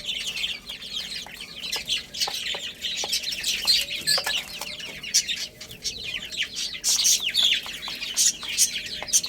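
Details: A group of baby chicks playing and eating fills the air with continuous bright, descending peeps. Bursts grow louder and then ease, with scattered clicks and taps underneath.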